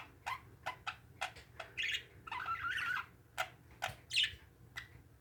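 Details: Kept parakeets trade short, rough warbles and squeaks, broken up by quick clicking taps against a quiet room hum.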